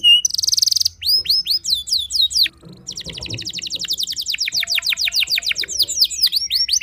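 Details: Canary song aimed at upsetting rival canaries: a buzzy trill, upslurred chirps and a sweeping whistle, a brief quiet gap with faint background rumble, then a long, fast, rolling trill of repeated notes.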